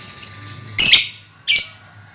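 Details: Lovebirds in a colony, recorded as a lure for trilling: two loud, raspy high chirps about three quarters of a second apart over a low steady hum.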